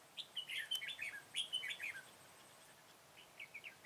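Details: Red-whiskered bulbul, the flock's leader, recorded on 21 September 2017 during trapping. It gives loud, rapid, warbled whistled phrases that rise and fall, several in quick succession, then softer short notes after a pause.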